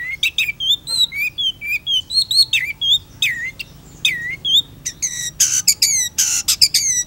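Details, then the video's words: Chatty long-tailed shrike tutor song: varied whistled notes that rise and fall, with twittering phrases, ending in a few loud, buzzy, harmonic-rich calls. "PENTET GACOR"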